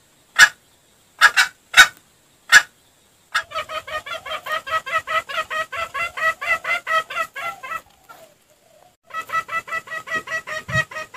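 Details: Junglefowl sounds meant as a lure: four sharp isolated calls open, then a long steady train of quick harmonic clucks, a pause with faint noise, and another run of clucks with a low thump near the end.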